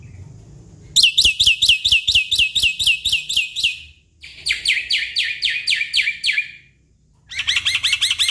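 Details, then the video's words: Black-winged myna song played to coax a stressed caged bird into singing. Three loud bursts of rapid, sharp, repeated chattering notes, each lasting a couple of seconds, separated by short silences. "Pancingan Jalak Putih Stres Malas Bunyi"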